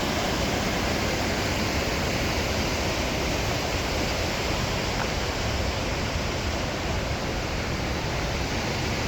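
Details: Steady roar of rushing water in Cascade Canyon, Grand Teton National Park, filling the whole recording with no animal calls.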